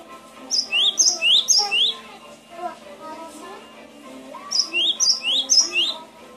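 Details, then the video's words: Gelatik batu, or Cinereous tit, in a training recording: a quick run of four clear, rising-and-falling whistled notes, then a pause, then the phrase again, over quiet lower twittering. "Suara masteran burung gelatik batu"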